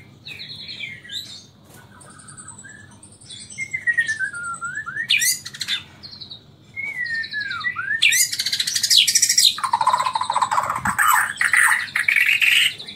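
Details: Murai Borneo, the Bornean white-rumped shama, Samarinda, singing a nyangkul and roll tembak style song: sweeping whistles and slurred down-up notes building into a dense, loud, harsh burst of rapid mixed notes.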